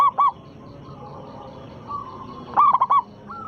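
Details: Local zebra dove with a big voice, used as a lure to provoke rival doves into singing: two short hollow coo notes, a long pause, then a quick cluster of four clipped coos, over steady background hiss.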